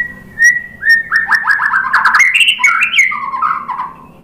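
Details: White-rumped shama song played to provoke other birds into answering. A clear whistled note opens a fast, continuous warble of tumbling slurred notes that climbs and then drops lower.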